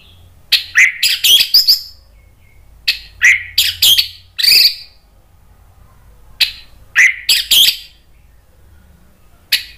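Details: Orange-headed thrush, agitated and answering a lure recording: loud, harsh, rasping bursts in clusters of two to four, separated by short pauses, with a faint low hum underneath.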